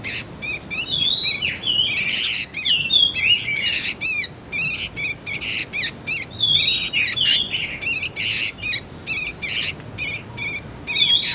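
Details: Juvenile sooty-headed bulbul calls, offered as a lure and tutor sound for magpie-robins: dense, harsh chattering bursts interleaved with short slurred whistles, notes coming in quick irregular runs for the whole stretch, with barely a pause.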